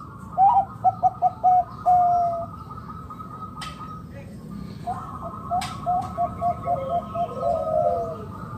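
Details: Calling of a local zebra dove kept to draw other doves into calling, made of quick series of short, hollow, bubbling coo notes. Two phrases are separated by a pause, and faint clicks and background noise can be heard.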